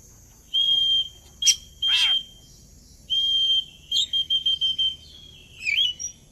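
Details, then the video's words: Oriental magpie-robin lure song intended to make birds sing along: long clear high whistles held for about half a second, repeated with pauses, and a few quick rising flourishes over a low background hiss. "Suara pancingan burung Kacer agar ikut narung"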